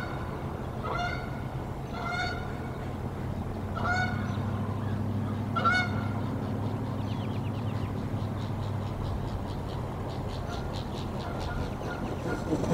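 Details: Decorah Canada geese defending their nest against an intruding goose on 1 April 2024; four distant honks spaced about a second apart, then fading, buried in a steady low rumble of background noise.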